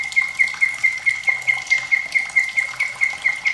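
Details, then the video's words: White-rumped shama with trickling water, used as a singing tutor for young and reluctant birds: one clear whistled note repeated evenly about twice a second over steady running water. "MURAI BATU SUARA PEDAS Plus gemericik air perangsang bunyi"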